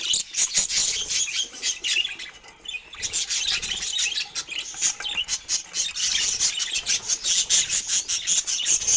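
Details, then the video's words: Budgerigars chirping while eating fruit amid rapid scratchy chatter and repeated clicking, pecking-like ticks throughout, briefly quieter in the middle. "Sweet Chirping Sounds While Enjoying Healthy Fruit"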